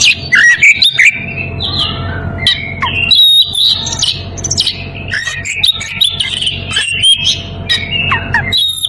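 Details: Oriental magpie-robin in breeding condition calling a rival: a dense, loud run of varied whistled notes, slurred rising and falling phrases and sharp chirps, broken by short clicks and brief pauses, with a low steady hum beneath.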